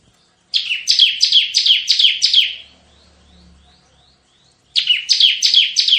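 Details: Bar-winged prinia in full 'tembakan' song, a shooting-style phrase used for luring and tutoring: a run of seven bright downslurred notes, a pause with faint low hum, then a second run starting.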